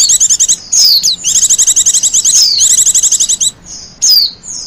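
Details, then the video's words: Lively high trilling song of a wild Japanese white-eye, used for luring and as a master song: long runs of rapid chirps, swooping whistles, ending in a lone falling note. "Suara burung pleci liar,cocok buat pikat dan masteran."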